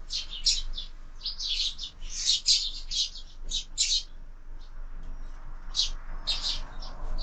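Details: Sparrows brawling at a feeder attached to a window, birds fed year-round; a loud cluster of scratchy chirps first, then sparser single chirps after a short lull.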